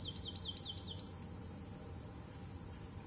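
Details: Bachman's sparrow singing at Palm Bluff Conservation Area: a quick series of thin, high, falling slurred notes for about a second, over a steady hiss of insects and low rumbling background noise.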